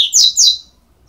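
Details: Two sharp, high, downslurred squeaks from double-collared seedeater nestlings aged 12 days, then quiet.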